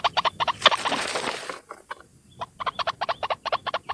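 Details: White-breasted waterhen, a single bird, in a lure recording: quick harsh croaks, broken by a burst of rushing noise and a short pause, then resuming in paired, rapid notes.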